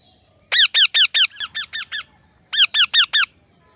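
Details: Indian Ringneck parrot giving sharp, harsh, arched screeching notes in a fast series of eight, about five per second, a short pause, then four more loud notes, with a quiet indoor background.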